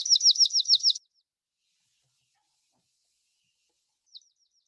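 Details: Dark-eyed Junco, Oregon (west coast) form, gives its simple trilled song: a quick, high, even trill of about six identical repeated notes lasting a second, then a single faint high chip after a pause.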